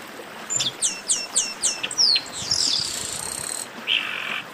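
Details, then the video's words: Chestnut-capped blackbird song of five evenly spaced, downward-sweeping whistled notes, then a long harsh buzzy note and a final short rasp. "Melhor Esquenta de Garibaldi"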